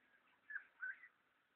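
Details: Red wattlebird recorded on 21 September 2012: two short, slightly rough whistled notes about a third of a second apart, the second a little longer and level, over a quiet steady background hiss.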